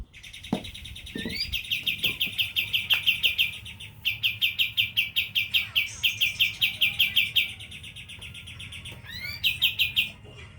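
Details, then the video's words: Caged sooty-headed bulbul giving its 'tembakan' ('super dor') song: rapid bursts of sharp, evenly pitched repeated notes, about three per second, in runs of several seconds, with brief pauses and a few rising slurred notes. "Tembakan burung kapastembak,super dor"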